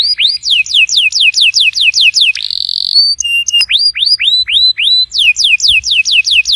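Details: Canary song played to get a silent canary singing: fast runs of repeated whistled notes sliding down, broken by a short steady buzzy tone and a few drawn-out upslurred whistles before the quick descending series returns.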